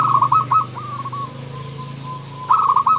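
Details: Local zebra dove singing actively in the 'nembak' song style: rolling, bubbling coo phrases near one pitch open and close the moment, separated by softer, drawn-out cooing notes, with a low steady hum beneath.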